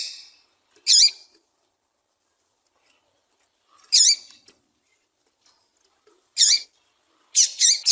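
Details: Female Double-collared seedeater gives short, sharp, high chips, single or in quick pairs, every two to three seconds, against near silence; a female call used to stir captive males into singing.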